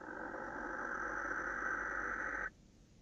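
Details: A male barn owl directing a call at a female on the evening of 26 December 2017; one steady, harsh, hissing screech lasting about two and a half seconds, ending abruptly in quiet.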